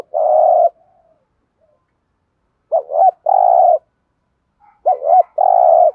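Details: Spotted dove coo phrases meant to make untamed doves call back. A long steady hum is followed by a pause, then a wavering dip note and a level coo, repeated twice in clean quiet.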